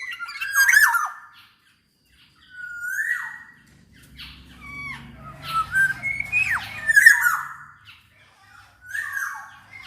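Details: Black-naped oriole singing as a lure to set other orioles singing: liquid whistles sliding down in pitch, alternating with rasping squawks in irregular bursts, and a soft low rumble in the middle.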